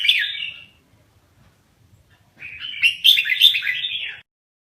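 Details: Rapid rolling song of a caged Lao-type red-whiskered bulbul: one quick warbled phrase, a silence of almost two seconds, then a longer bubbling burst of bright whistled notes.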